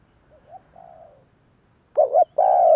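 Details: Spotted Dove giving a lure coo to prompt wild doves to answer: faint soft notes at first, then a loud throaty double note and a long, slightly falling coo.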